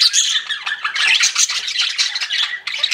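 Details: Pet budgerigars chirp in a busy chorus of squeaky, grating warbles and short whistles, with a brief dip before the chatter picks up again.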